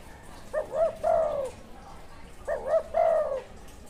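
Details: Wild spotted dove with a good karam call style, perhaps with a chessboard face pattern: two soft cooing phrases, each of quick doubled notes leading into a longer falling coo, over a faint hiss.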